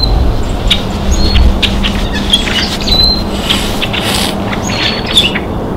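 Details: Rusty blackbirds in winter give scattered short, sharp chips and squeaky notes in quick, irregular bursts, over a steady low hum and background rumble.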